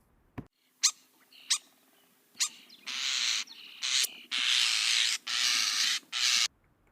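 A European starling gives a few sharp clicks and whistles, then a run of harsh, hissing, rasping bursts about every second.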